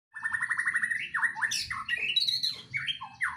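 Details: White-rumped shama singing in a breeding cage: a rapid trill of about a dozen notes, then varied whistled phrases that swoop up and down, with sharp higher notes and a low background rumble.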